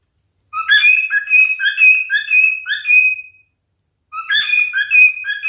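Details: Singing male cockatiel gives one long whistled phrase of quick, clear notes alternating low and high, ending in a drawn-out whistle; after a pause a second phrase begins.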